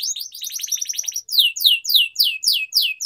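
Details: Atlantic canary singing for training: a fast buzzy trill of short notes, then slower loud downslurred whistles repeated about three times a second.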